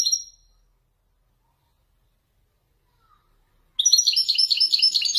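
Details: A Widani goldfinch, a caged Moroccan male, sings in the Marrakech descent style. A brief high note is followed by silence, then a burst of loud, tumbling twitters.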